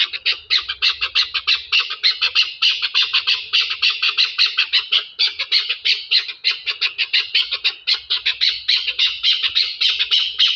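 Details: Chukar partridge from Pakistan giving a loud, continuous run of rapid, raspy chuk-chuk notes, steady in pace throughout, with faint low rumble in the background.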